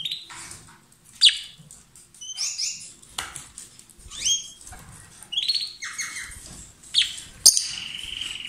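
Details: Pet pair of lovebirds kissing and trading food, giving scattered sharp squeaks and short rising chirps with clicks and faint rustling between calls.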